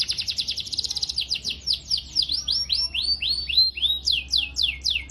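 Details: Canary song recorded to train young canaries: starts with a quick stuttering trill, then slows into repeated arching swoops rising and falling, about four per second, over a soft low hum.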